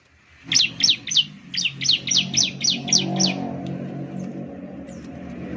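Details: Ciblek (Bar-winged Prinia) lure song: a single burst of about nine sharp, high chirps given in quick succession, then the bird falls silent while a steady low outdoor rumble continues.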